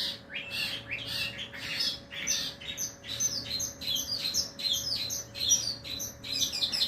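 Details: Long-tailed shrike (cendet) tested for mental steadiness delivers an unbroken stream of scratchy, squeaky chatter with quick rising and falling notes, lively and varied throughout, and a soft background hum.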